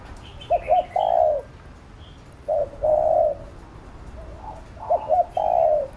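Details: Spotted dove cooing as a lure to train another bird: a phrase of two short hooked notes then a long mellow coo, a pause, another long coo, then the same phrase again; faint higher chirps from other small birds behind.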